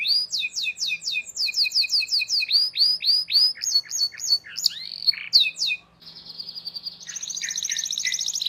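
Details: Domestic canary singing long, emotional 'cuit cuit' song as a tutor for young canaries learning to sing: rows of slurred whistled syllables about four per second, shifting through varied tours, then a sustained high rolling trill near the end.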